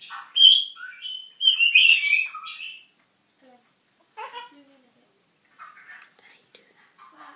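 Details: A newly arrived pet African grey parrot, a talker and singer, gives a burst of loud, warbling whistles and squawky, speech-like phrases, then quieter scattered chatter after a pause.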